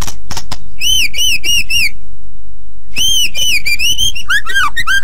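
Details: Loud white-rumped shama training song for other birds to copy: dry clicks, then four clear rising-falling whistles in quick succession, a short silence, and a longer series of arched whistles ending in lower looping notes.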